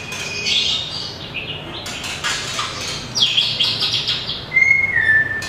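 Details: Caged white-rumped shama of a small, long-tailed type singing in competition style: scattered high whistles and buzzy phrases between quieter pauses, ending with a clear whistled note that falls slightly, with broad rustling noise throughout.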